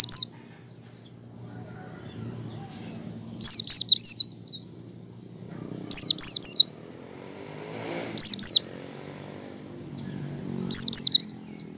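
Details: Oriental white-eye (pleci) giving ngecal and learning ngalas song, used to prompt other white-eyes to open their beaks: bursts of high, thin, rapidly twittering notes about every two to three seconds over a low background rumble.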